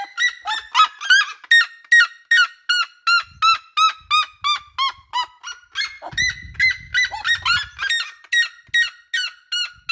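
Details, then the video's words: A red-legged seriema in a backyard gives a loud, far-carrying run of yelping, honking notes, about two or three each second, with a brief low rumble partway through. "Seriema no quintal quem canta seus males espanta"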